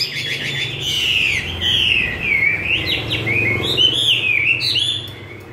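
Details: A captive, wild-voiced Chinese hwamei fed homemade bran sings a loud, unbroken run of rich, varied whistled phrases that slur up and down, with quick twittering notes between them.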